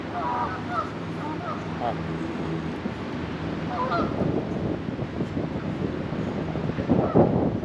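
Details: Friendly geese in Hartford, Connecticut, giving short harmonic honks in loose bursts near the start and again around four seconds, over a steady low background rumble with some speech-like sounds mixed in.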